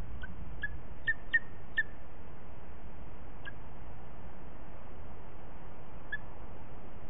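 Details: Booted eagle pair at the nest in Els Ports Natural Park, 21 April 2018 at 17:21, the female showing her first egg to the male: short, sharp high notes, a quick cluster of five early, then single notes later, over steady hiss.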